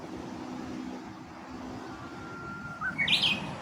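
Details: Japanese bush warbler, Kashiwanoha Park, May 2025: over steady background hum, a thin, level whistle ends in a loud, fast, rising flourish near the close.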